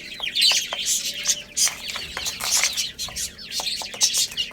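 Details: Many little domestic chicks chirp while playing and eating: a dense, overlapping chorus of high, thin peeps and short sweeping chirps, nearly continuous, with a few louder bursts and faint low clicks.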